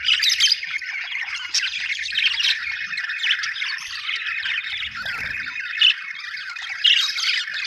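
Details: Happy budgerigars, called Australian birds, chirping in a loud, continuous chorus of raspy warbles and quick squeaks, a few clear whistled notes standing out, and a brief low rustle in the middle.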